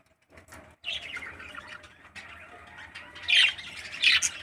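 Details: Captive 13-day-old parakeet chick, raised by a breeding parent bird, gives harsh, raspy squawks that start softly and build into two louder, scratchy bursts near the end.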